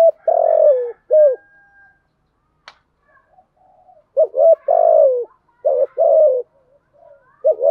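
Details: Spotted dove lure call for wild doves, with coo phrases of long wavering falling notes and shorter coos, a faint click and soft background tones between phrases.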